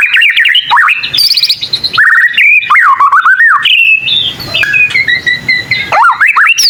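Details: White-rumped shama, a young bird practising song that sets other shamas answering; rich whistled notes wavering up and down, a high trilled burst, then sustained steady tones and rising slurs.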